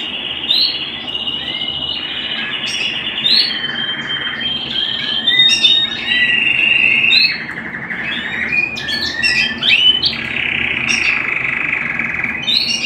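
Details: Domestic canary song indoors, long unbroken run of rapid rolling trills, held whistled tones and sharp upward chirps, changing phrase every few seconds, with constant broadband hiss beneath.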